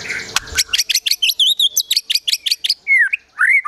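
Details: Caged white-rumped shama singing agitatedly, a gacor emosi song with besetan and tembakan phrases plus sogon and kunti mimicry: a rapid train of sharp, clipped high notes about twice a second, ending in slurred whistles.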